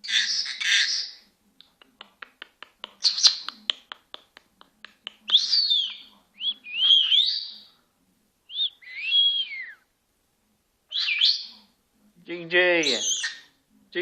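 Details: A talking Senegal parrot mixes a harsh phrase, a long row of fast, sharp clicks, several whistled sliding phrases, and a final deep, voice-like call.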